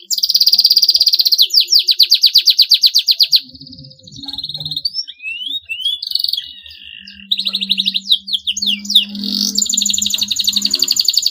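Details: Long canary song meant to set rivals singing: a fast, even pulsed trill, then scattered sweeping whistles and short rolls over a low hum, and a final run of quick chirps into a high trill.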